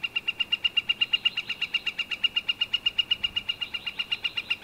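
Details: Northern flicker calling in a long, steady series of loud, sharp, identical notes delivered rapidly and evenly, several per second, without pause over nearly five seconds.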